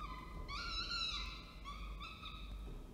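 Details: Falcon at Orange, New South Wales, 19 October 2024, during a food delivery by the male with the female feeding; one loud, prolonged harmonic wail rising then easing down, followed by softer drawn-out notes.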